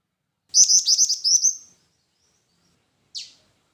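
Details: Black-winged flycatcher-shrike song: a quick run of high, thin trilled notes lasting about a second, then silence and one short, sharp high note.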